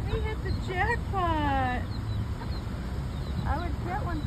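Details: Baby chicks alongside their hens giving short rising peeps and a long wavering trilled peep, then a cluster of quick downward peeps, with low steady rumble beneath.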